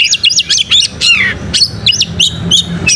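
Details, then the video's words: Oriental magpie-robin (kacer) singing vigorously (gacor) with tail fanned, a lure (pancing) recording: quick bursts of high chirped notes and short whistles, rising and falling, with a faint low hum beneath. "pancing Kacer gacor buka ekor"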